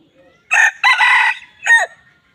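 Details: Red junglefowl, a wild chicken, crowing: a loud, harsh, hoarse crow broken into three bursts. A short opening note leads into a longer strained middle section, then a brief rasping ending after a pause, in a quiet setting.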